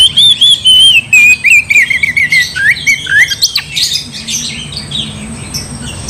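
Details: Oriental magpie-robin singing to rile a rival into fighting; a wavering high whistle breaks into rapid choppy notes stepping downward, then harsh scratchy squawks as the phrase fades.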